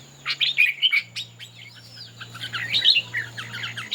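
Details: Red-whiskered bulbuls singing in competition while displaying. Clear warbled notes up front give way to denser, busy chatter of several overlapping phrases over a continuous low hum.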